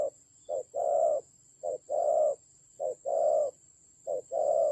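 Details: Spotted dove used as a decoy bird in a fierce fight, Vietnam's Central Highlands, 19 October 2020: low cooing phrases, each a short note followed by a longer hoarse coo, repeated about every second and a half, with a steady faint high whine behind.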